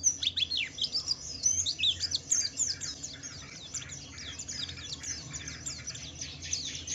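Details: Javan white-eye singing a 'wiklus wiksar' ngalas-style song, used as a lure to provoke other white-eyes to sing: dense high, thin chirps and downslurred twitters tumbling rapidly, loudest in the first two seconds, over low background hum.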